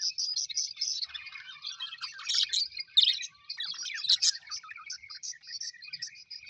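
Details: Colourful pet Australian budgies chirping happily, a soft run of evenly spaced high tweets opening into a tangle of warbles and squeaky chatter, with a few sharp louder notes near the third and fourth seconds.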